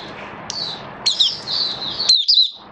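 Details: Oriental white-eye hobby bird in build-up form, 19 September 2022, giving a thin, high, continuous warble with sharp accented notes, ending in a brief louder flourish.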